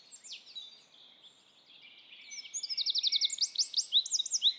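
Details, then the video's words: Eurasian wren singing in Estonia: after a brief high opening phrase and a pause, a loud, very fast outburst of high, sharp trills and rattling note series builds over the last two seconds. "Eurasian wren"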